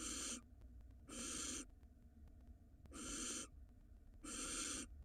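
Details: Barn owls at an Israeli nest box, where the male delivers a mouse while the nest's food store is already full: four rasping, breathy screeches, each about half a second long and roughly one to two seconds apart, with background hum.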